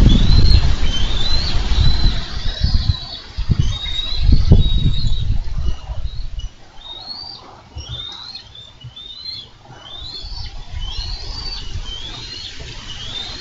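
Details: Bald eagles at a Minnesota nest on 4 July 2013, caught on a nest camera as the female wrestles a carp from the male's talons; a long series of sharp, high piping chirps over bumping, rumbling low noise.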